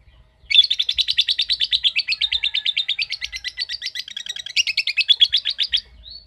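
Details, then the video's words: Sustained ngekek from a ngetik-type lovebird: over five seconds of rapid, shrill chattering pulses, rising slightly in pitch near the end before stopping, with a short thin squeak after. "Love Bird Ngetik Cara Cepat Memanggil Love Bird Agar Ngekek Panjang"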